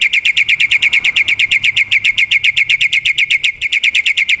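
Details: Wild black-winged myna in 'gacor' song, recorded to lure birds. A rapid string of bright, slightly buzzy chips runs almost continuously at a quick pace, with a brief stumble near the end.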